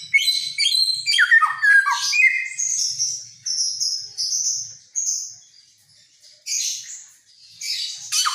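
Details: Helmeted friarbird from Nusa Tenggara, famed for copying many songs, gives squawky falling notes and high buzzy whistles that thin out into quieter, high-pitched trills with short pauses.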